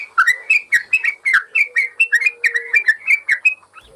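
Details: Caged-bird training recording of a yellow-vented bulbul: rapid bubbling series of warbled, falling notes, roughly four a second, with a soft low drone underneath, ending in a brief pause.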